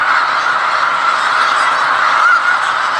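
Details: Wild snow geese in Skagit County, Washington, on January 15, 2018: a large flock giving a dense, continuous chorus of overlapping nasal honks and yelps, a constant wall of sound with no gaps.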